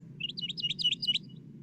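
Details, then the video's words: Northern mockingbird singing on the Elon University campus, North Carolina, USA: a quick run of bright, slurred high notes, paired and repeated about five times a second, over a steady low hum; phrases include mimicry of other species. "the sound of a northern mocking bird singing is one of the most musical sounds produced by Nature"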